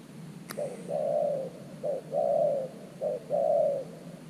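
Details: Spotted dove, a new decoy bird kept at an earthen trap to lure wild doves, giving low mellow coos: a short note followed by a longer falling coo, three phrases, with a sharp click near the start.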